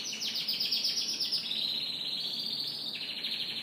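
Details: Morning canary song, a fast run of high chirped notes followed by a long sustained rolling trill, loud and unbroken throughout.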